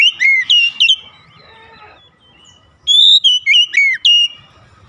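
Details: Calling oriental magpie-robin with two bursts of high, rapidly varied whistles, swooping and slurred notes separated by a quieter gap of softer tones.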